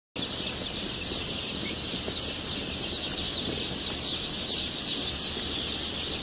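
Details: Blue laced red and splash laced red Wyandotte baby chicks, a crowd of them giving a steady, dense chorus of high peeps that runs unbroken from start to finish over a low background hum.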